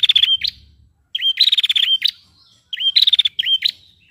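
A female prinia gives three bursts of rapid, high, chattering notes, each about a second long and ending in a quick buzzy trill.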